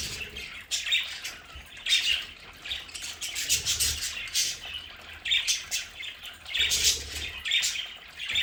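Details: Budgerigars kept as pets in a home play area keep up continuous twittering, with harsh chirps and brief squawks piling up in clusters and a low background hum.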